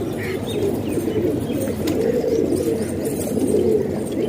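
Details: Pigeons kept in a house in Pakistan, a flock cooing together: low, throaty rolling coos overlap in a steady murmur, with a few brief higher notes above and a constant low hum beneath.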